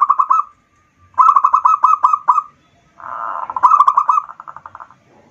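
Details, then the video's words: Local zebra dove song played as a lure to stir other birds: three rapid trilled cooing phrases of quick pulsed notes, the last one partly covered by a brief rushing noise. "pancingan perkutut lokal"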